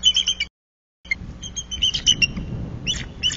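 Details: Pair of wild bald eagles at their Bluff City nest, 26 January 2024, sounding alarms while tracking an intruder flying through their territory; rapid bursts of high, thin chirping notes in quick series, with a brief silent gap.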